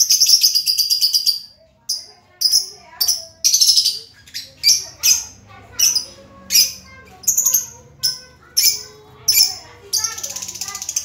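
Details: Lovebird, a brightly feathered bird said to be always cheerful, giving shrill, high-pitched chirps in quick bursts, about one or two each second, with short pauses and a faint low hum underneath.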